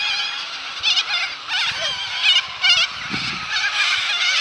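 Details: Flock of cockatoos at the Balerine in Victoria, screeching together in a raucous, rasping chorus with repeated louder harsh bursts rising above the din.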